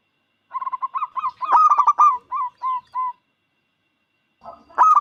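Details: Loud song of a local zebra dove meant to coax other doves into singing: a rapid, accelerating series of short coos swells into stronger clipped notes, then eases into spaced single coos. A new burst begins at the end.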